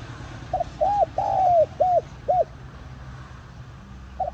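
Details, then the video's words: Cooing of a spotted dove used as a lure for wild doves: a quick opening note, arched coo, drawn-out falling coo and two clipped arched notes, then quiet until a new phrase begins. "Tiếng Cu Gáy Giọng Hạp BổI ĐỦ BÀI [GỌI BỔI] TỐT TIẾNG kích Bổi Nhanh Nổi.Mở lên là bổi gáy lại"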